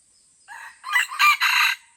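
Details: Loud, close crow of a Red junglefowl fighting in the Aceh jungle at Lamteuba: a short lead-in note followed by three strong, raspy bursts in quick succession, faint insect hum underneath.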